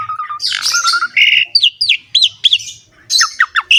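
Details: Jalak suren singing gacor ngerek style: a flat whistled note, then harsh broadband squawks, followed by a string of quick downslurred whistles and a few short falling notes at the end.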